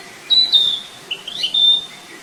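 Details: Flycatcher in the wild giving thin, high whistled notes, a long steady tone, a pause, then a wavering rising phrase ending in another sustained whistle.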